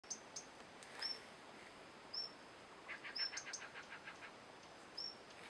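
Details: A male Slaty-blue flycatcher at Manas National Park, Assam, gives thin, high whistled notes about once a second, with a short dry rattling series midway, against a quiet outdoor background.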